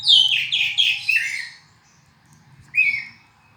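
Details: Oriental magpie-robin, black-and-white bird, delivering a quick run of loud slurred descending whistles, then silence and a single rising whistled phrase.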